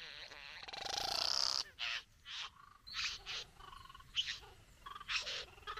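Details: Courting satin bowerbird displaying to a female at its bower, giving a long buzzy rattle followed by short hissing, scratchy bursts spaced about half a second apart, some sharp high squeaks among them.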